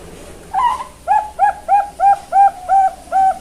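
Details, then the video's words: Young captive zebra dove at a bird farm in Kebumen, Central Java, Indonesia: an opening rising note, then a steady series of seven mellow, rounded coos about every 0.35 seconds, each with fainter overtones above. "SUARA PIYIK PERKUTUT BERBAKAT CALON SUARA BESAR"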